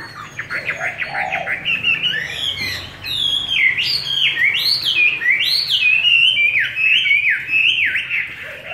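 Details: Forest-voice song of a Chinese hwamei kept on homemade feed: rapid series of sweeping, looping whistles, sharply rising and falling, building in loudness through the second half with barely a pause.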